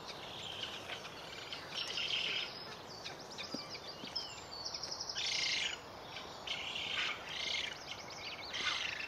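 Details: Eurasian spoonbill chicks in a nest at a colony in Delftse Hout near Delft, the Netherlands; high, hoarse, wheezy bursts come in irregular clusters every second or two, with thin chirps from other small birds in between.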